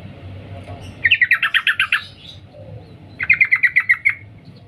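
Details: Sooty-headed bulbul female calling to a male: a rapid run of about eight clipped 'cuk' notes, a pause of a second, then a second run of seven similar notes, with faint background hum.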